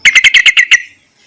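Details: Yellow-vented bulbul calling males, suitable as a lure: a quick run of seven bubbly, evenly spaced chirps, strong and clear, ending abruptly.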